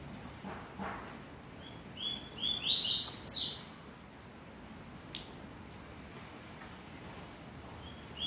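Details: Double-collared seedeater giving a song of the style called "vírus mortal": one brief, loud phrase of sharp rising whistles and chirps lasting under two seconds, followed by near silence with faint clicks.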